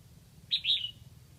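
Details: Red-whiskered bulbul decoy from Lang Son calling to bring in wild birds, a quick sharp note and a longer slurred whistle that drops slightly, under half a second, over faint low noise.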